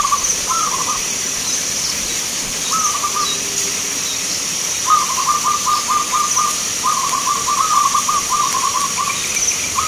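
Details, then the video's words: Local zebra doves singing at a perkutut song contest in Grabag, Magelang, Indonesia; short bubbling trilled coos, first two brief phrases, then longer runs of rapid stuttering notes, over a steady high hiss. "Perkutut Lokal gacoran Vs irama"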